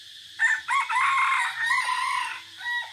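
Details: Crowing red junglefowl kept as a decoy, 3 April 2024, forest setting: a full crow of hoarse, strained syllables, loudest at first and then trailing off into a weaker final phrase.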